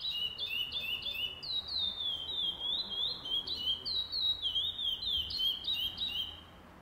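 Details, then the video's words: Several overlapping strands of chestnut-bellied seed finch (curió) song from a pardo tournament, first stage, 8 November 2020: bright whistled notes rising and falling in quick succession, each phrase about a third of a second, ending abruptly. "Torneio de Curió Pardo"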